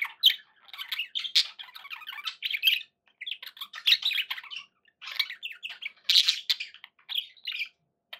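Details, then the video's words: Pet budgerigars chattering together indoors: busy warbling, chirping and squawky notes in quick bursts, pausing briefly between phrases, with overlapping voices and no other sounds. "11 hours of budgie sounds"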